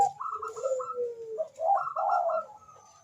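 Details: Zebra dove and answering rival: overlapping coos, one a series of higher clipped notes and the other a lower drawn-out falling coo, ending in a rolling phrase.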